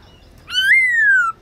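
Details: Caged black-throated laughingthrush singing at midday during training, in the wild-forest song style: one loud, clear whistle that slurs upward, then glides slowly down over almost a second. The background is quiet.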